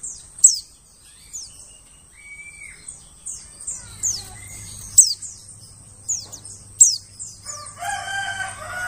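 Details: White-eye lure call for attracting forest birds: rapid high descending squeaks in loose series, a short whistle in between, and a rooster crowing loudly toward the end.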